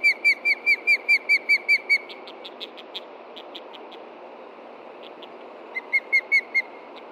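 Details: Osprey pair at a nest in Montana, 30 June 2013 around 11:30 AM, alerting to a threat from the ground while chicks stay put: loud, clear whistled chirps about twice a second, a long run, a pause with softer notes, then another run.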